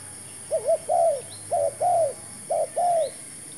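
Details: New decoy Spotted dove calling during a trapping session: three phrases, each a quick doubled coo followed by a longer, slightly falling coo, steadily repeated, with faint distant bird chirps behind.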